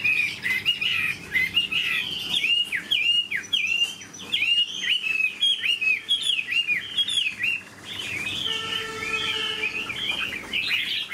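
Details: Singing steadily, a caged Chinese hwamei with a fine voice repeats bright whistled notes that drop sharply at their ends, in quick phrases over eleven seconds, with a short harsh buzzing passage near the end.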